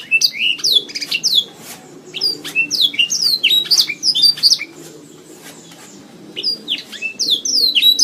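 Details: Training recording of a canary singing, meant to tutor and build the voice of kept canaries: quick, high, slurred whistles and chattering trills in repeated bursts, with a brief lull before the song returns.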